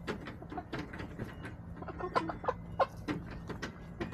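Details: Backyard hens on a chicken camera, March 24, 2024, giving short, clipped clucks in quick, uneven bursts, several per second at times, with a steady low hum underneath.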